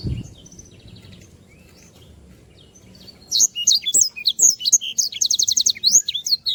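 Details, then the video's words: Black-throated canary singing energetically as a tutor recording for training other birds. After about three seconds of near silence, a fast, high twittering bursts in: sharp whistled notes and rapid buzzy trills, densely repeated. "sanger gacor. masteran burung"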